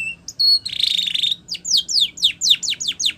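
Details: Spanish Timbrado canary song for training canaries: a brief high buzzy trill and steady whistled notes, then a run of quick, sharply falling whistled slurs repeated about four times a second.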